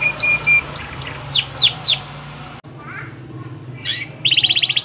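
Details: Yorkshire canary song beginning with flat whistled notes and three loud descending sweeps, then a quieter pause and a closing burst of a fast, evenly repeated trill. A low steady hum is in the background.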